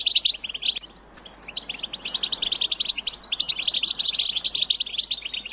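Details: European goldfinches in a group twitter meant to prompt singing: quick liquid chirps and trills, a brief lull near one second, then dense chattering resuming to the end.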